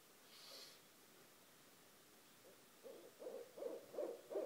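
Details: Night calling from two barred owls beside a house: a faint breathy hiss, then after a lull a rising series of low hoots, roughly every 0.4 seconds, getting louder to the end.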